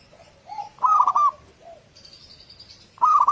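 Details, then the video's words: Local zebra dove, a lure to set other doves singing in the morning: loud bursts of rapid cooing notes, soft lower coos before and between them, and a faint high thin tone in the background. "Pancingan suara burung perkutut lokal"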